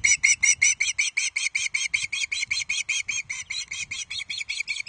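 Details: Hungry juvenile Osprey, Loch Arkaig, 31 July 2023, grabbing the first fish delivered by a parent; insistent high piping repeated quickly, near three notes a second, loud at first then slightly softer.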